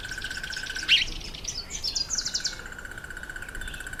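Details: Red bishop during the October–November breeding season near reeds over water: a loud single chip followed by a fast, buzzy, sizzling chatter lasting about a second, with a constant pulsing insect or frog chorus behind.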